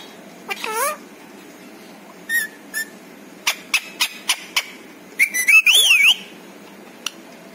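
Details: Pet parrot that talks and says many words: one speech-like syllable, then sharp clicks and ticks repeated quickly, ending in a loud wavering whistle with a dipping tone.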